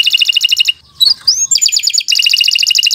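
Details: Canary singing a long, continuous song used as a tutor recording for young birds: fast, high chattering trills of repeated notes, a brief pause with rising slurred whistles, then another rapid even trill.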